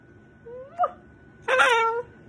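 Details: A pet Moluccan cockatoo gives a brief rising whine then a loud, harsh, half-second squawk in a quiet room, annoyed at being kissed and hugged and wanting to be left alone.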